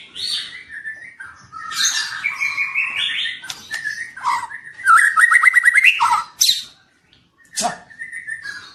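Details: Young White-rumped shama ('trotol') giving a varied song of mid-pitched whistles, rising trilled runs and sharp clicking notes, with short pauses between bursts.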